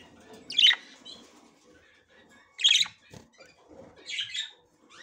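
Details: Female budgerigar trying to enter the nest for the first time, checking it out. Three sharp, bright chirp bursts about two seconds apart, each a short cluster of high notes, with quiet scratchy rustling between them.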